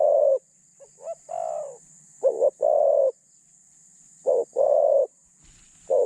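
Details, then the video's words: A captive spotted dove used as a decoy, with a mid-pitched voice and light phrasing, coos repeatedly: soft short notes, then loud doubled notes each running into a long mellow coo, against a constant faint hiss. "จัดเชลยเสียงกลาง คารมบางๆ"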